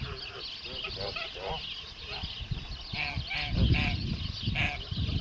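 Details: Pure white male Kholmogory goose from 2014, kept on a farm: a run of short nasal honks with rough harmonics, getting louder toward the end over low rumbling background noise.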